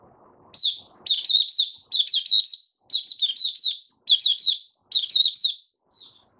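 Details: Caged white-eye opening into song, bursts of bright, rapid, high twittered notes in short phrases roughly every second, with brief pauses between them and a quiet room behind.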